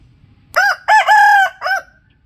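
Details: Domestic rooster gives one loud cock-a-doodle-doo after brief quiet, in four rich harmonic parts: a clipped first note, a bent rising syllable, a sustained level note, and a closing downward-curving note, then a faint low rumble.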